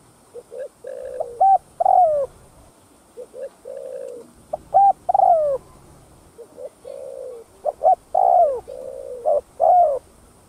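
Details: Spotted dove cooing, played to lure and stir up other doves: low hollow coo phrases of short notes then a long drawn, wavering coo, repeated in groups every few seconds, with a faint high hiss.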